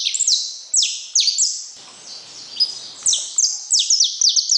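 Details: Saffron finch singing in quick bursts of sharp, descending high notes that ring out with echo. A short, quieter gap falls midway before the phrases resume.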